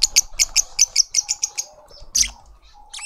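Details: Juvenile lovebird being fed by its family in a suburban Pretoria garden, South Africa: a steady series of high, shrill chirps about four per second, then a louder squeak and faint soft notes.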